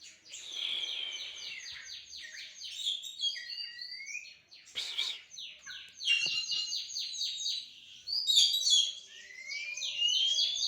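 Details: Kacer in a head-to-head song match: dense high chattering trills, rapid repeated notes and upslurred whistles, with brief bursts of noise between phrases.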